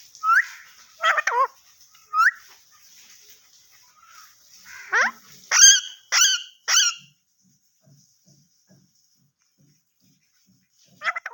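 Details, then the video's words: Pet parrot talking in Urdu/Hindi: a run of loud voiced, speech-like syllables with stacked harmonics, some sliding down in pitch, in short bursts separated by pauses, and a final utterance near the end after quiet. "The Speaking Parrot Talking In Urdu/Hindi"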